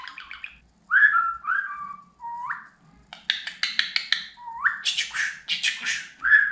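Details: Pet budgerigar talking, mixing clear whistled rising and falling phrases with rapid harsh chattering bursts that imitate speech, without pause in the second half.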